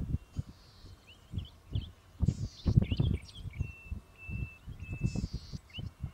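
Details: Golden-headed cisticola (Cisticola exilis) in Victoria, Australia, June–July 2013: short buzzy, hissing bursts repeated every two to three seconds, alternating with sharp upslurred 'lik' notes and thin steady whistles, over heavy low wind rumble and thumps.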